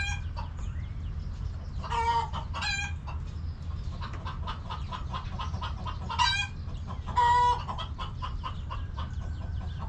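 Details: Backyard chickens in their coop: rapid soft clucking throughout, broken by a few louder, longer squawking calls from hens, all over a constant low hum.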